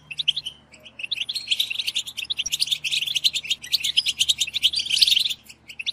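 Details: Collective batbata from European goldfinches, aimed at stimulating singing: a few separate chirps open, then dense, high, jangling twittering builds and holds before stopping abruptly near the end.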